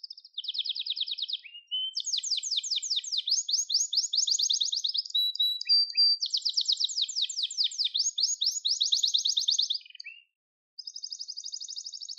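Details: Gloster canary delivering its trilled song for training listeners: a short even tour, then long bursts of quick ringing rolls separated by tiny slides, a brief silence near ten seconds, and a final smooth high trill.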